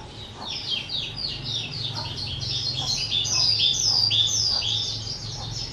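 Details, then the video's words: On 18 April 2023 a kept skylark aged two sings a fast chain of sharp swooping chirps and twittering phrases, climbing higher midway, with a low background rumble. "Chim Sơn Ca 2 Tuổi"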